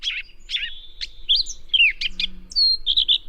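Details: Gray Catbird, uncommon in California, in a restored Northern California meadow with willows and alders, sings a quick jumbled run of squeaky chips, slurred whistles and buzzy notes, mimicking sora, western wood pewee, Wilson's snipe and Pacific tree frog.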